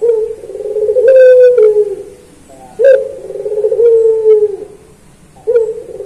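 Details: Puter pelung collared dove singing in a master training recording for kept birds: long, drawn-out low cooing notes that slide slightly downward, each opening with a sharp accented burst, repeated in bouts with short pauses.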